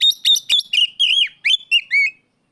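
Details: Rival-summoning ngeplong cries of an Oriental magpie-robin: harsh clipped notes at the start give way to sweeping, undulating whistles that rise and fall, ending cleanly into quiet.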